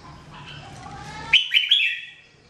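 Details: Red-whiskered bulbul, called jambul, singing in a 2017 training recording. After faint background hum comes one quick phrase of three bright, bubbling whistled notes that slide downward and fade away.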